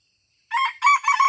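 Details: Wild-type red junglefowl crow recorded while luring (mikat) in a deer park in Aceh: abrupt, raspy bursts in three quick pulses following silence, the phrase cut off at its end.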